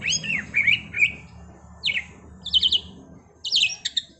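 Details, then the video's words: Trontolan rolling song of a white-rumped shama: short bursts of bright whistles and quick buzzy, stuttering note clusters, separated by brief pauses, with a faint low hum underneath. "Masteran Murai Batu TRONTOLAN NGEROLLLLLLL Edan!! GACOR X Roll"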